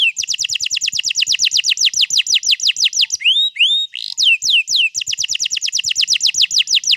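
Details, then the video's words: Canary singing a long rolling song, recorded 21 April 2022 and used to prompt other canaries to sing: fast runs of sharply descending whistled notes, a brief pause of rising slurred notes, then the rapid descending series resumes, with faint low clicks. "pancing burung kenari jadi ikut bunyi GACOR Ngerol Panjang"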